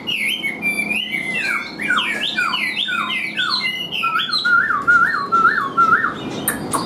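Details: Singing caged Chinese hwamei, hand-tamed: a fast sequence of stepped, falling whistles, then a repeated series of lower looping notes, about five in a row.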